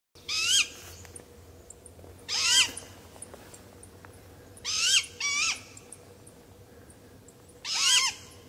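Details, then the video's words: Two great grey owlets calling to their father for food give five harsh, hissing screeches with a wavering, squealy edge, one every two to three seconds, over a faint steady hum. "Two Great Grey Owlets Calling For Food From Dad"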